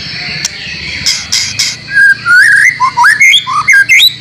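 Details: White-rumped shama training song with borrowed phrases from other birds. A few harsh notes lead into a fast run of looping, up-and-down whistles and chirps, roughly one or two notes per second, bright and varied.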